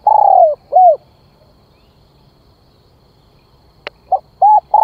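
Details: Lure call of a decoy spotted dove: a long falling coo and a short rounded note, a quiet gap broken by a single sharp click, then two brief coo notes starting a new phrase.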